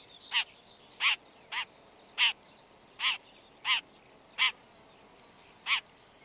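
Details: Red-backed shrike, Lanius collurio, giving a series of eight harsh, grating notes, each short and spaced roughly 0.6 to 0.7 seconds apart, over a quiet background.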